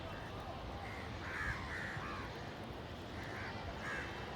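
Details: Village crows fighting over food give a few loud, harsh, hoarse caws in two loose bursts against a steady rumble of background noise, with a possible voice in the mix.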